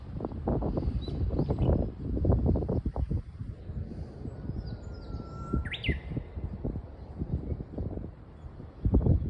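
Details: Japanese bush warbler singing in spring at Toasa Station on the Muroran Line: a held clear whistle that jumps into a short rising flourish, heard once mid-recording over heavy low rumble and wind-like background noise.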